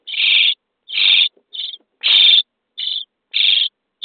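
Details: Common starling nestlings, day 23, in a nest box, begging as they are fed: harsh, raspy bursts about half a second long, in an irregular series of six or seven, with short silent gaps between them.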